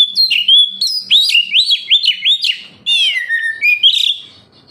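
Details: Captive-style oriental magpie-robin (kacer) in full gacor song, meant to lure other kept birds into singing: clear whistled slurs repeated in a quick rising series, then a long descending whistle and a final bright phrase.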